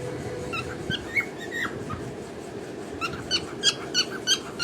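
A cockatiel sings a string of bright, clear whistled chirps, some rising and some falling, over a soft indoor hum.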